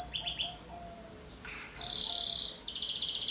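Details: Young canary song meant to spur other birds into singing: short broken high trill fragments, a pause, then a loud dense buzzy rattle and a final fast repeated trill.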